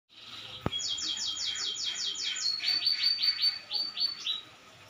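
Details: Canary singing vigorously: a fast, even trill of high sweeping notes, then a looser run of brighter, rising-falling notes, with one sharp click near the start.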